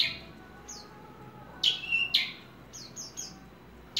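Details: Ringed Horsfield's bush lark kept for hobby giving scattered high chirps and a drawn-out whistled note, with a few quieter slurred notes between louder bursts over faint background hiss.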